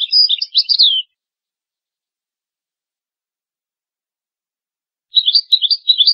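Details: European goldfinch song for tutoring young goldfinches and hybrids: a second of fast twittering, five seconds of silence, then another twittering burst with a faint click.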